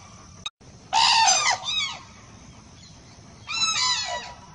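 A crane gives two loud, harsh, trumpeting calls, each rich in overtones and dropping at the end, about two and a half seconds apart. A faint click sounds beforehand.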